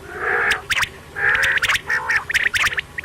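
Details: Quail calling at night: bursts of harsh, nasal, harmonic notes mixed with sharp clicking ticks, repeated in irregular groups about once a second.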